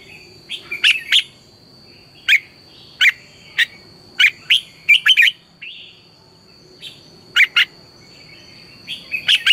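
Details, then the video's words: Red-whiskered bulbul, a trained singing bird used as a lure to teach other bulbuls to sing in the morning: short loud bright chirped notes in scattered bursts, some doubled, over a steady faint high hum. "luyện chào mào hót sáng, Hót hay KÍCH BỔI NHANH CĂNG LỬA, Cách luyện chào mào hót căng lửa"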